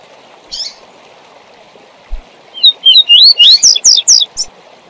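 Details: Double-collared seedeater performing the tui tui zel zel song for training young birds: after a lone chip and a soft thump, a fast sequence of rising whistled slurs and high buzzy notes, with steady background hiss.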